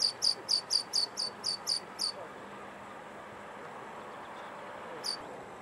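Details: Rock pipit, one of a nesting pair on the seafront of a port in western Scotland, busy collecting invertebrate food for its young: a quick run of eight thin, high, sharp notes about four per second, a pause, then one lone note over steady background hiss.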